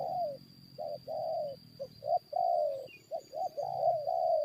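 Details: Spotted dove luring wild birds into a fight: a series of hoarse coos of mixed length, clipped short notes alternating with longer slurred ones, with a faint high whine and distant small-bird chirps.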